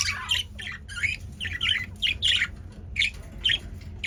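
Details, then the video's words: Caged male budgerigars, highly active, utter short harsh chirps and squawks in bursts about every half second, scratchy and rasping, over a faint steady low hum. "Budgie’s Activity"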